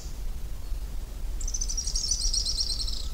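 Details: Araucaria tit-spinetail singing: a very high, rapid, dry trill of closely packed notes lasting about a second and a half, over a steady low rumble of background noise.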